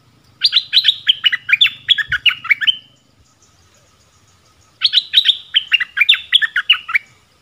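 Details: Streak-eared bulbul singing two matching phrases of lively, descending chirped notes, each lasting about two seconds, separated by a short silence.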